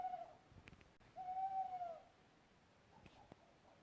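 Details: An owl recorded in Europe, species unknown to the recordist, gives one smooth, steady hoot lasting under a second. It is pitched mid-low and dips slightly at the end, after the tail of an earlier note, with faint clicks between.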